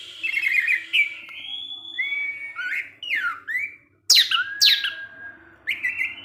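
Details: Evening song of an orange-headed thrush in 'teler' style, provoking other thrushes: a continuous stream of warbled whistles rising and falling, with loud downward-swooping notes near the end.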